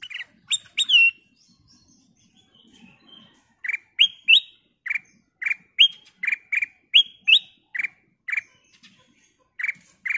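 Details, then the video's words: Crystal-voiced gacor kutilang emas bulbul, sung as a prompt for other birds: a few loud ringing whistles, a short quiet gap, then a long even series of clear whistled notes, often paired, low then rising high. "Burung Kutilang Emas Gacor suara kristal Cocok buat Pancingan"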